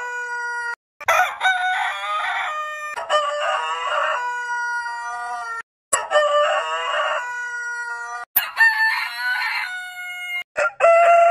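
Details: Long, sustained rooster crows from heritage-breed birds, strongly harmonic and somewhat hoarse, several crows in a row broken by brief gaps, each held for about two to four seconds.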